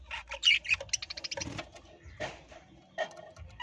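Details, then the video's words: Captive parrots giving quick runs of short, high chirps and clicks, a dense burst early then sparser calls, with soft low knocking in the background. "parrot bird new video"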